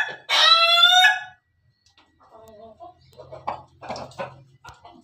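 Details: Short crow from a Pelung chicken: one loud harmonic call of about one second, then soft clucks, a low hum and scattered faint sounds.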